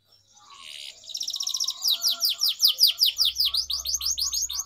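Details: Canary song used for singing training, as a lure to teach young canaries: after a faint start, loud rapid trills of falling sweeps begin, repeated about three times a second and building steadily in strength.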